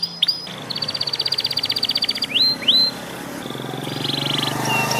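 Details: Young panda canary learning to sing: a fast buzzy trill of repeated high notes for about a second and a half, then two rising slurred whistles and softer buzzy phrases over a low steady hum.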